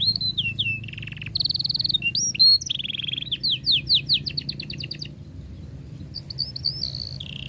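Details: Long canary song meant to teach young canaries: varied phrases of whistled notes, rapid buzzy trills and sweeping upslurred chirps in quick runs, pausing briefly before softer high notes return, with a low background hum throughout.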